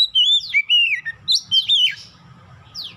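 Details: Oriental magpie-robin song used as a lure to get young birds singing quickly: loud clear whistled phrases sliding downward, with sharp falling sweeps and high chirps in quick succession, over a faint low rumble.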